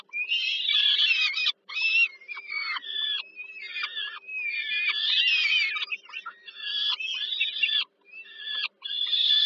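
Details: Peregrine falcon chicks being fed by their mother at dinner time on a nest site at Żerań, Warsaw, Poland, 15 July 2022: continuous harsh, wavering squealing cries, overlapping and insistent, with brief gaps and a faint steady low hum.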